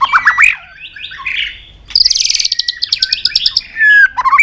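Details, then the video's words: White-rumped shama in provoked fighting song: warbled whistles, then a rapid burst of high buzzy ticking notes, ending in slurred whistles and sharp chips. "Chòe Lửa Đánh Đuôi Sàn Cầu Kích Lửa Hót Căng. luyện Chòe lửa hót đấu."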